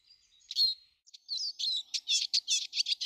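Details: Eurasian siskin in a garden, March 2013: a thin high note and a twangy phrase open, followed by an accelerating series of bright, rapid chirps.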